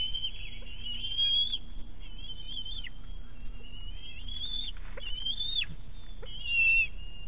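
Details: Eaglet of a bald eagle pair at Big Bear, 5.7.18, squealing while its mother brings a fish to the nest: wavering high whistles with scattered sharp ticks and a faint low hum beneath.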